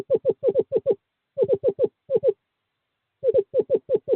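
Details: Male screech owl summoning a female to nest box 5 in courting season, 2/11/2023: short bursts of five or six quick hollow notes separated by gaps, each note gently falling in pitch.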